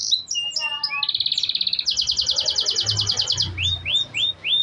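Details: Canary song recorded for daily playback to prompt silent birds: varied high chirps, a rapid even trill, a faster buzzing roll, then several short rising whistles.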